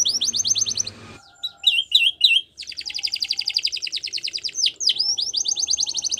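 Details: Training song of a Spanish Timbrado canary: bright rapid trill, a pause, a few sharp falling chirps, then a long rattling metallic trill of quick repeated notes interrupted once by a swooping call before continuing.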